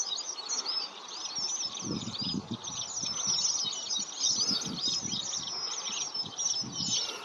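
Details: Many red avadavats chirping together in a flock, a steady wash of tiny high squeaks and twittering notes, with soft low thumps and rustling underneath.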